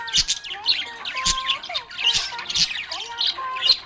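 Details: Cheerful budgerigar chirping: a dense run of bright, quickly bending chirps and little squawks, uneven in rhythm, with sharp clicks between.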